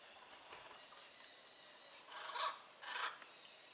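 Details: In the wild, a blue-and-yellow macaw lets out two rasping squawks near the end, preceded by faint, softer calls in a hushed setting.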